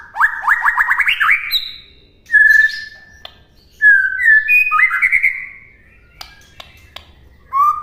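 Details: White-rumped shama master song for training birds to imitate: a rapid rising series of whistled notes, then long held whistles and slurred phrases climbing in pitch, with sharp clicks and pauses.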